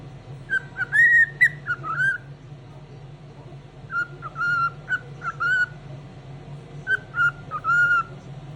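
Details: Cheerful morning singing from a pet cockatiel, delivered in three bursts of clear whistles, each a run of short notes with some rising slurs, separated by quiet gaps over a low background hum.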